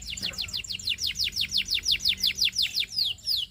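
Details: Singing canary delivering a steady run of clear, high, downward-sweeping whistled notes, about four per second, evenly paced and loud, with a faint low hum beneath.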